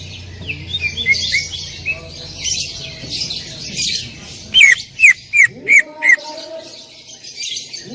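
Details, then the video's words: Greater green leafbird singing loud 'tembakan' style: soft scattered chirps give way to five sharp, piercing whistled notes fired rapidly, followed by a lower wavering sound. "cucak ijo gacor full tembakan suara keras"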